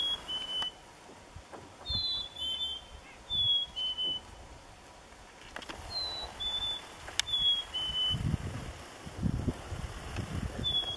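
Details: On a frigid winter morning at a lake in Nevis, Minnesota, chickadees give clear whistled two-note phrases, high then a step lower, several times in succession, while lake ice rumbles and cracks softly underneath.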